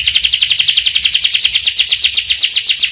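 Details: Canary singing a long rolling song, a rapid high trill of rising-falling notes repeated evenly about ten times a second, continuous throughout.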